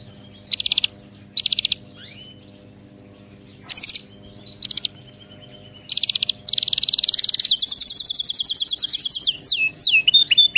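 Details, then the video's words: Canary singing, meant for training a pet canary to sing: short bursts of rapid high trills separated by pauses, then a long continuous rolling trill that ends in quick sweeping whistled notes. "صوت كناري مذهل لتدريب وجعل طائرك الكناري يغرد بلا توقف canary singing training bird"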